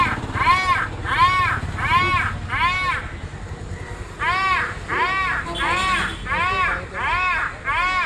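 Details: Crow, described as mating, giving a loud run of harsh arched caws, about nine in eight seconds in two bursts with a brief pause near four seconds, over low rumbling background noise.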